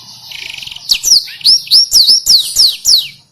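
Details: Black-throated canary tutor song for canaries and yellow-fronted canaries: opens with a soft buzzy trill, then seven loud, piercing downslurred whistles delivered about three per second.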